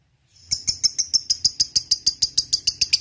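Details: Lovebird starting up its ngekek chatter, a lure to provoke rivals; after a brief quiet start, shrill rasping notes repeat quickly and evenly, roughly three per second.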